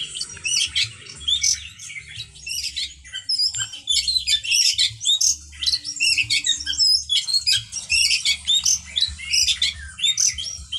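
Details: Oriental magpie-robin song used as a lure to attract other magpie-robins: dense, loud, high chattering and whistled phrases in rapid succession, with a low steady hum underneath.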